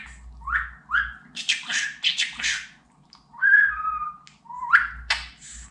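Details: {'caption': 'Pet budgerigar talking in Turkish, a run of varied chattering syllables mixed with short rising whistles and a longer falling whistle near the middle, then more bursts of squeaky phrases.'}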